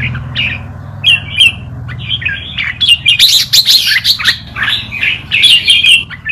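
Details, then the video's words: Red-whiskered bulbul tutor song in forest style, used to teach young birds: lively run of sharp chirps and warbled whistles about three per second, growing denser midway, with a low background drone. "นกกรงหัวจุก นกครูเพลงป่ามาลูติน เปิดสอนลูกนกก๊อฟติดง่าย"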